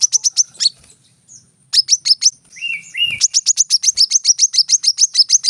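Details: Brown-throated sunbird 'tembakan rapat' song: runs of quick, high chips broken by a lower, twangy whistled phrase before the fast chipping resumes.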